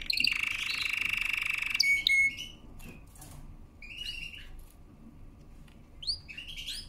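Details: Canary singing for training: a buzzy rolling trill that breaks into a few clipped notes, then scattered short chirps separated by pauses, fairly quiet.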